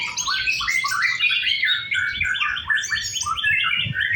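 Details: Practice contest singing by a white-rumped shama: dense, rapid warbling with quick rising and falling whistled notes, mixed chatters, unbroken throughout.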